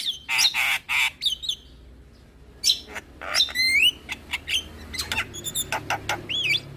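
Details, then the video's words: Javan myna lure song, full of mimicked fill-in phrases, meant to make other mynas answer: loud harsh bursts, then sharp rising whistled slurs and clicks, with short gaps between notes. "Semua Burung Jalak Seketika Nyaut Dengar Pancingan Jalak kebo Full Isian Ini"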